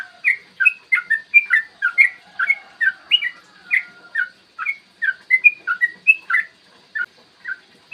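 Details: Yellow-vented bulbul in sustained ropel song, a clear morning recording for provoking other bulbuls: quick, rhythmic bubbling whistles, roughly three to four notes per second, unbroken throughout.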